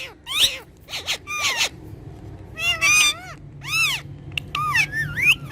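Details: Two talking parrots kept as pets, producing short rasping bursts and arched, harmonic whistled syllables in separate phrases with brief pauses between, some notes rising then dipping. Faint low background hum.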